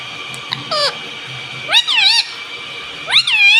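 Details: Pet parrot that talks, said to say "mummy" and "mitthu"; three short, strongly harmonic utterances with upward-sweeping then falling pitch, separated by quiet gaps filled by a constant high hum.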